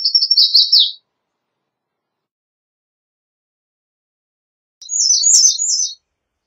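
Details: Male-style singing of an American redstart, with high-pitched, quick series of wispy notes dropping at the end, one phrase at the start and a slightly higher, varied phrase about four seconds later.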